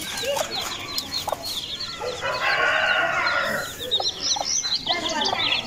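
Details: Aseel chicks cheeping continuously with sharp, high notes while a longer, harsher adult call rises over them for about a second, then the peeping carries on.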